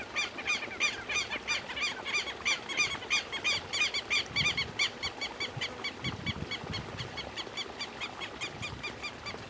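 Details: Southern lapwing keeps up a dense stream of harsh, repeated calls for over nine seconds, with some low rumbling knocks around the middle.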